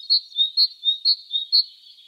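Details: A great tit in spring sings a bright, ringing two-note phrase, high then slightly lower, repeated about twice a second in a steady seesaw rhythm.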